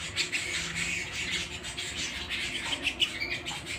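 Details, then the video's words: ['Canary at home singing a steady stream of fast, buzzy high trills and twitters, the notes evenly packed with no real pauses.'] "canary singing at home"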